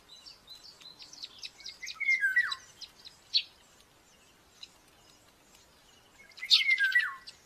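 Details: Common buzzard chick at its nest in Tiszalök, Hungary, on May 5, 2024, during breakfast feeding. It gives two wavering squeals that fall in pitch, about four seconds apart, over busy high twittering from small songbirds.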